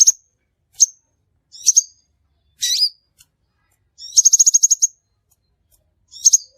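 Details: Crimson sunbird calls used as a trapping lure: sharp high metallic chips, singles and doubles, with a rapid rattling run of about eight notes and a brief slurred buzzy note; clean background.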